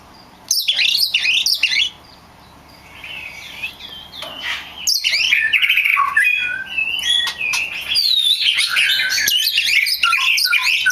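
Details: Oriental magpie-robin (kacer) lure song meant to get other magpie-robins singing: long loud runs of varied harsh and whistled notes, mimic-like and rapidly delivered, with a brief quieter pause.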